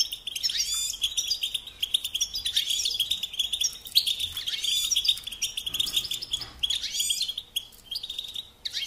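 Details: Song of a European goldfinch meant for training young birds, a continuous high jangling twitter with repeated buzzy rising phrases about every second over faint background hiss.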